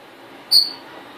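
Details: Pearl cockatiel, hand-raised and kept as a pet indoors, utters a single short, piercing chirp that falls slightly in pitch, set against a low hum of room noise.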